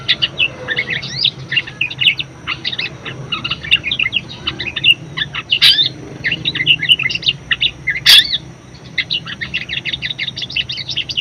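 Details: Budgerigar, praised as very vocal, used as a model to draw out and train other songbirds; a long, dense chattering warble of rapid high chirps and squeaks, with brief pauses, and two sharp clicks.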